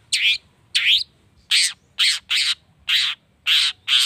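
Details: Long-tailed shrike calling to stir rival shrikes into singing: eight loud, grating, buzzy bursts in quick succession, roughly two per second, each a broad rasp with slight upward inflection at the start.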